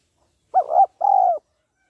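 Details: Female spotted dove cooing to rouse a male: a two-part phrase, a wavering double-humped note followed by a longer, level, slightly buzzy coo that dips at the end, in silence.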